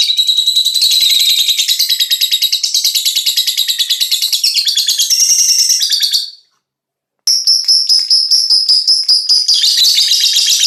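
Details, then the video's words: A five-month-old fighter lovebird chattering in long, rapid, high, scratchy bursts of chirps, pausing for about a second before resuming with a thinner, whistled, steadier strand within the fast chatter. "Love bird umur 5 bulan fighter"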